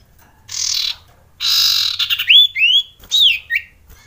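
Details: Male Common Iora (sirtu, cipoh), agitated and ready to mate: two loud harsh hissing rasps, then a run of clear whistled notes sliding up and down, some short and some drawn out, against a quiet background.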